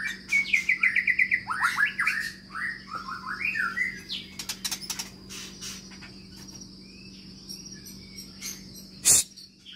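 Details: Long-tailed Medan white-rumped shama in a spacious aviary cage opens with a rapid run of sweeping whistled notes, then sings scattered sharp chips and short phrases. A constant low hum and high steady tone continue beneath.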